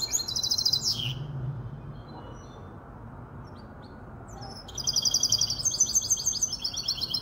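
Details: Goldfinch × Malaga canary hybrid, aged five months, Casablanca: a high twittering phrase ending in a downward slur, several quiet seconds of hum, then a longer rapid trilled passage.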